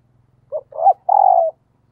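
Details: One 'thúc gù' phrase from a spotted dove used as a lure bird: a short low note, a rising-falling coo, then a long, steady, husky hoot, over a faint low hum.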